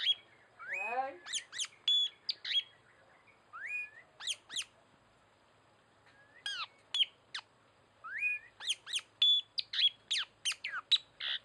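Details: Tanau calls used as a lure for trapping birds: clear whistled notes, sharply rising and falling sweeps and short chirps in bursts with pauses between.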